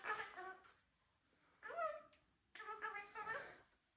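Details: Pet cockatoos, a household including a Gang-gang, a Red-tailed black and a Major Mitchell's cockatoo, give short voiced, harmonic syllables in three bursts separated by pauses. One bursts slides upward. The sound is speech-like and recorded indoors.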